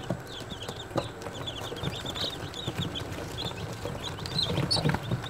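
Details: A group of day-old chicks cheeping, with quick high peeps in loose clusters, some louder near the end, over constant rustle and low noise.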